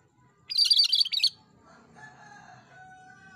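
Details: Cucak kerinci singing briskly as a tutor recording: one loud, fast, chattering high phrase lasting under a second, followed by faint steady whistle-like tones and low background murmur.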